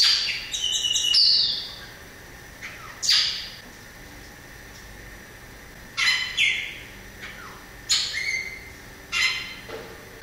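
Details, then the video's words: Variable oriole song: a harsh, noisy burst with high whistled notes at the start, then short rasping, scratchy bursts repeated roughly every one to two seconds, with quiet gaps between. "O canto do Pássaro Inhapim"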